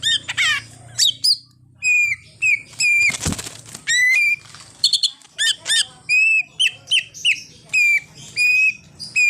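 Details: Greater green leafbird singing a full, varied song that includes an imitation of a car horn; loud repeated whistled phrases, rising and falling slurs and quick chirps in bursts about every half second, with one brief flapping burst.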